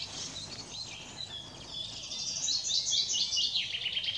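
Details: Redwing singing on 18 April 2021: a run of high, twittering, chattering notes that grows louder and busier in the second half, with faint background hiss.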